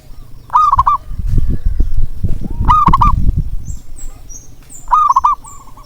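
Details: Local zebra dove coos meant to get quiet birds calling: three rolling phrases, each a rising note and fast pulses, partly masked by loud low thumping and rumbling. Faint high chirps are heard near the end.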